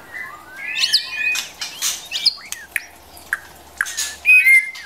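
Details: White-rumped shama, female encouraging the male to rehearse song: scattered whistled slurs and sharp clicks with quiet gaps, a high sweeping note early and a bright whistled phrase near the end.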